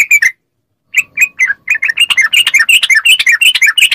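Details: Yellow-vented bulbul in quick ropel song, a recording meant to make caged bulbuls reply. Brief chatter, a silent gap, then steadily quickening bright notes that merge into a tumbling, jumbled stream.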